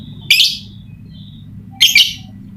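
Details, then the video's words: Lovebird giving two loud, shrill, slightly buzzy chirps about one and a half seconds apart, the second split in two, recorded as a lure to get lazy lovebirds singing; quiet background. "Pancingan Lovebird Malas Bunyi, suara burung lovebird bikin emosi lakbet lain"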